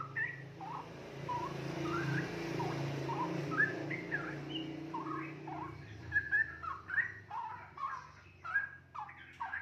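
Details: Young caged straw-headed bulbul, about two and a half months old and already feeding itself, chattering through its early song: short whistled notes sliding up and down, loosely spaced then quickening near the end, over a steady low hum.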